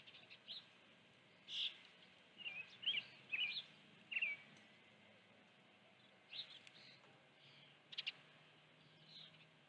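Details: An osprey calls at its nest, where a live fish was brought on the afternoon of 16 June 2019: clusters of thin, high whistled chirps, some slurred, with gaps between bursts and a faint hum behind.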